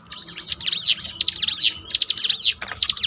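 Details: Bar-winged prinia singing as a training aid against low morale: fast, high, buzzy-edged arching notes in three quick bursts within three seconds, over faint low rumble.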